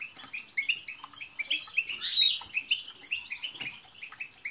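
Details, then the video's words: European goldfinches in chorus, played to encourage a pet goldfinch to sing, pour out rapid tinkling chirps and chattering trills, building to a louder burst near the middle before settling. "بتبتة حسون جماعية رهيييبة مع تستسات تجعل حسونك يغرد في دقيقة"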